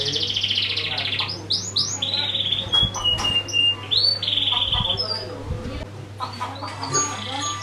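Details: Canary singing, used as a lure for other birds: a buzzy trill opening, then scattered whistled notes and short sweeps, quieter in places, with occasional low thumps and a constant hum.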